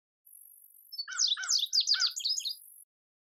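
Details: Male indigo bunting singing a bright, high whistled phrase of about two seconds, sharp notes sliding downward, with lower chirps from a second bird mixed in near the middle.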